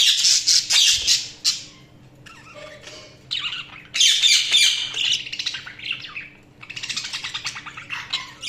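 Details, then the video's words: Budgerigars give loud, rasping chatter in dense bursts, mixed with softer warbling and rapid clicking trills, pausing briefly between bouts, over a faint low hum. "Budgies Sounds| Budgies Chirping sound"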